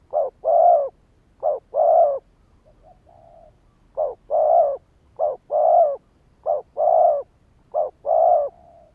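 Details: Spotted dove used as a lure to provoke rival males, cooing repeatedly. Each phrase is a brief clipped note followed by a fuller, longer hollow coo, about once every one and a half seconds. Quiet, softer notes appear in one pause.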